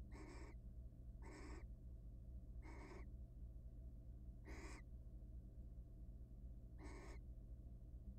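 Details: Barn owl, wild, at a research nest box during the frequent mating that comes before egg laying: five brief rasping screeches spaced one to two seconds apart, with constant low-pitched background hum.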